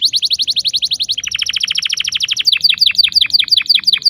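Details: Canary song used to coax young canaries into singing: rapid rolling trill of sharp repeated notes, shifting to lower downward-sweeping notes, then spaced high chipping phrases.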